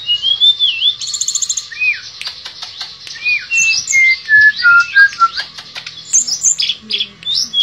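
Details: Shortwing (tledekan pring) in nembak and ngerol song: varied whistled notes, upslurs and downslurs, mixed with rapid chips in a long continuous stream.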